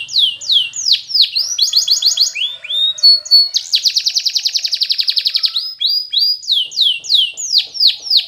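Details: Spanish Timbrado canary training song: powerful singing of fast descending whistled sweeps, then a clipped metallic trill and a long, even, rapid rattle, ending in more looping downward slurs.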